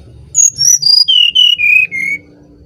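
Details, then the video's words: Brown-chested jungle flycatcher from Bali, singing vigorously as a lure song: seven pure, clear whistled notes, each one lower than the last, forming a smooth descending series over under two seconds, with low background hum. "Burung Sikatan Rimba Dada Coklat Bali Gacor Nyuling Untuk Pancingan SRDC"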